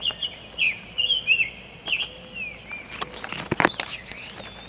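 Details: Summer tanager singing in the wild: short slurred, whistled phrases with rising and falling notes, given in bursts, over a steady high insect hiss, with other faint chirps and a few sharp clicks near the end.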